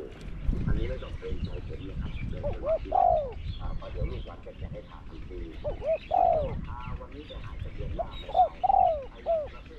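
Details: Spotted dove used as a decoy in Thai dove trapping, matched against a wild bird: three coo phrases, each a pair of short notes then a longer falling coo, about every three seconds, under a man talking loudly in Thai.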